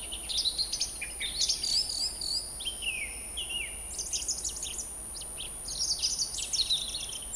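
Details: Montbéliard, France, late winter 2024: a song thrush delivers continuous high varied phrases, whistles, trills and scratchy notes, some repeated, with a thin steady hiss underneath.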